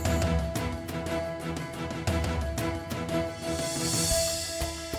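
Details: Instrumental theme music with a steady beat and sustained tones plays throughout, with no animal sounds.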